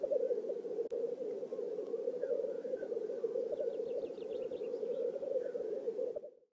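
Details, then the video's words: Black grouse lekking in a courtship display in a swamp in Oulu, Finland, on 5 May 2022; a steady low bubbling chorus runs without a break, with faint higher trilled notes drifting in midway before the sound cuts off. "Black grouses lekking / la parade du Tétras-Lyre / Teeret soitimella"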